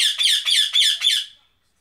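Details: A pet female bird, caged, growling angrily while trying to chew the cage: four harsh, raspy, noisy bursts in quick succession, each about a quarter second long, fading out after the fourth, in a small indoor room.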